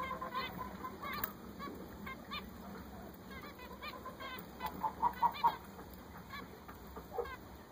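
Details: Newly bought zebra finches give a fast, uneven series of nasal, trumpeting beeps, about two or three a second, with a louder cluster of calls near the middle and a constant faint whine.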